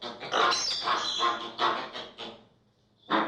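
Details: American flamingo calls: a run of loud, harsh nasal honks from a group, growling in tone, stopping for about half a second of near quiet before one more honk.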